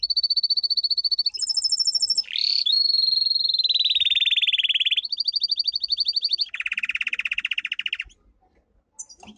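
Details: A domestic canary's strong training song: a string of steady, fast trills at different pitches, some thin and high, one swooping, others buzzy and lower, ending in quiet.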